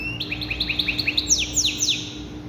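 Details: Canary in maqnin song: a quick series of evenly spaced rising chirps followed by three long high falling sweeps, with a faint steady hum behind.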